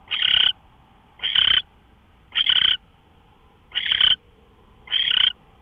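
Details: Owl on a live nest camera, recorded before dawn at 5:27 AM on March 24, 2013. Five breathy, screechy rasps come at slightly uneven intervals of about one second, with steady faint background hum.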